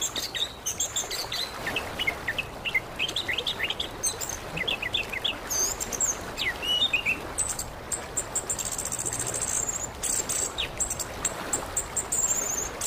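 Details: Indonesian recording of orange-headed thrush, used as therapy to prompt a silent bird to sing. Quick runs of varied whistled and chirping notes, rising and falling, give way to higher thin buzzy trills, over constant background hiss.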